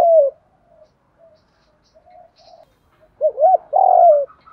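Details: Trapping decoy spotted dove: the tail of a coo, a few soft, quiet murmured notes, then a full 'giọng thổ' phrase of a double note followed by a long, low, falling coo.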